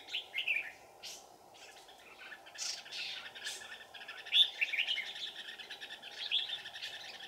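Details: Decoy red-whiskered bulbul luring wild birds toward a trap on a cold mountain afternoon, 15 December 2018; quick chirping and warbled notes, loudest near the middle, with a steady insect drone behind.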